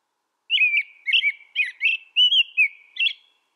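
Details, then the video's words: Steady American robin song of six or seven whistled phrases, each a short rising and falling carol, spaced about half a second apart in a quiet setting. "American Robin Bird Song Sound"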